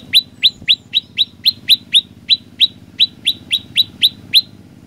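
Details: An olive-backed tailorbird in full song gives fifteen sharp rising chirps, hurried and uneven at first, then settling into a steadier rhythm, against light background hum.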